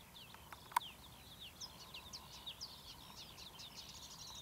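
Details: Marsh warbler singing at Academy Pools, Cleadon, on 6 June 2008: a fast run of high chattering, scratchy notes and short sweeps, with a sharp click near the start and a steady low hum underneath.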